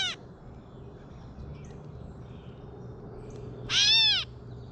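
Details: Gray catbird, backyard, while eating: the tail of one cat-like mew opens, then quiet low hum, then another loud overtone-rich mew near the end.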